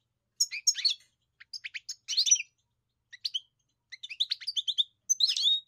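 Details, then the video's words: European goldfinch song in short bursts: quick liquid twitters, clicks and tinkling notes separated by brief pauses, nothing else heard. "Enjoy the experience of the elegant singer GOLDFINCH"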